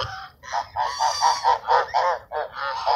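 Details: Ducks at Sunset Park, fed on 10-10-17, give a steady run of nasal quacks, about three per second, each rough and harmonic, from a calling flock.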